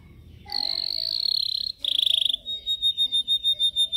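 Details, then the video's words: Yellow canary singing in a cage during training: a long buzzy roll, a short loud rapid trill, then a string of evenly spaced swelling whistled notes. "Canary singing training Yellow"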